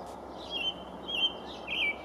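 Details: A male American robin sings from the top of a pine tree on 5/6/19, apparently announcing his presence. Three faint, clear whistled phrases, gently warbling and roughly level in pitch, arrive about half a second apart over a soft background hiss.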